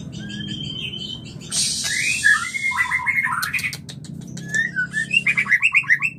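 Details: Shama mating call offered as a breeding lure: high whistled notes, a hissing burst, loud looping slurred whistles, sharp clicks, then a rapid rhythmic series of rising chirps, over a low hum.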